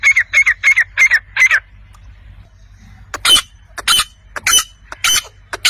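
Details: Wild chukar partridge (chakor) calling: a fast series of five clipped, piping notes, then a pause, followed by harsh, scratchy chucks and squawks in an irregular burst.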